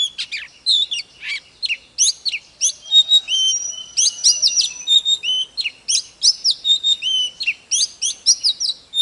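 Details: Oriental magpie-robin in vigorous song with dancing display, pouring out dense, varied whistled phrases of upslurs, downslurs and chips almost without pause, loud and clear against a quiet background.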